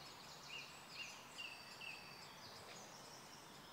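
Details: Black-necked grebe on Kala pond at Hostivice, 26 May 2016: four brief, clear whistled notes repeated about every half second, set against a steady background of other birds chattering and faint hiss.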